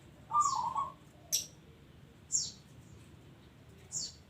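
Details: Local zebra dove singing actively: one short rolling, trilled coo phrase near the start, followed by three sharp high chirps from another bird at roughly one-second intervals.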